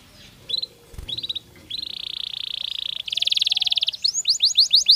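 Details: Canary song for readying birds for the breeding season, starting with short soft bursts over low background noise, then a buzzy sustained trill, a fast bright rattle, and finally loud separated rising whistled notes.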